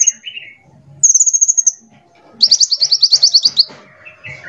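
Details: Sunbird, a small glossy bird prized for its varied voice and used as a lure and tutor for other songbirds; high thin chirps and fast rattling trills in bursts, with brief lower twittering between phrases.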